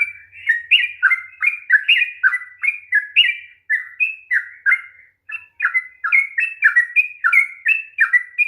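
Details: Long rolling song ('ropel panjang') of a sooty-headed bulbul, used as a lure for a reluctant singer: steady stream of chirpy, fluty notes jumping up and down, briefly pausing near the middle before resuming.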